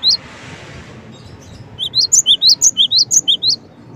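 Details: Cinereous tit calling: a single high note, a pause, then a fast run of about ten paired notes, a lower note and a sharply rising upper note, repeated several times a second.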